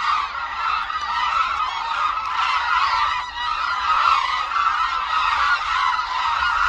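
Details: Hooded cranes at Suncheon Bay Wetland, Korea, flocking in flight over their wintering grounds. Loud, continuous overlapping honks and bugles come from many birds at once, with no gaps.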